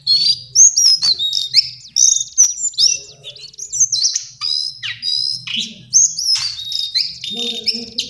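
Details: A lesser shortwing gives a steady stream of sweet high whistles, quick trills and downward slurs, with faint low background noise.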